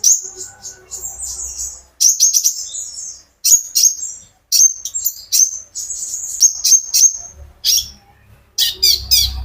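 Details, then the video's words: Very high, thin song from a caged olive-backed sunbird used as a singing lure: scattered sharp chirps and short piercing whistles in irregular bursts, several near-silent pauses, and soft low background hum. "burung konin gacor pancingan terapi burung kolibri ninja agar ikut gacor"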